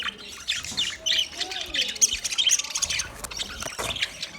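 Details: Budgerigar singing, a busy warble of high squawks, chirps and rasping notes that rise and fall in quick succession.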